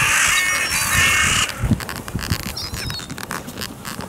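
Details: Carrion crows at a clifftop feeding spot, coming over to greet the person who feeds them; one and a half seconds of loud, harsh overlapping caws, then quieter rustling and shuffling.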